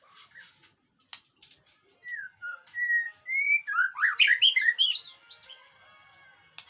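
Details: A White-rumped shama sings on a recording used to prompt a reply: sparse soft notes and a click, a few separate clear whistles, then an energetic rush of tumbling, rising and falling whistled phrases that fades out.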